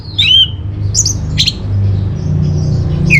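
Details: Orange-headed thrush (Geokichla citrina) song, used as a lure and tutor recording for kept birds: a few quick, sharp whistled notes dropping and rising over a steady low hum.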